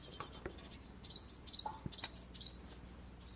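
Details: Japanese tit fledglings, six chicks with both parents attending, at a garden nest box in a Kurogane holly tree near a mountain village. Sharp, high, short chirps repeat quickly and irregularly, with a faint low note and a light tap.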